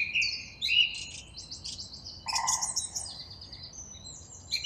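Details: Song thrush song of varied phrases: clear whistled notes, a burst of sharp high chips, then thinner, higher twitters trailing off.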